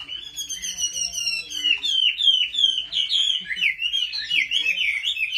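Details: Chinese hwamei, competitive song while being trained at home: loud, continuous ringing whistles, rapid slurred notes rising and falling in quick succession, clear and strong throughout.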